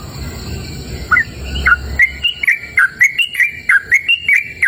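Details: Yellow-vented bulbul in an open natural setting starts with a couple of soft chirps over low rumbling noise, then breaks into a brisk series of bright chirping, slurred whistled notes, about three per second.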